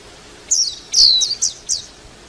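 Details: Warbling white-eye singing a brief high twitter: one longer downward-sliding note surrounded by three or four quick, sharp chips in under two seconds.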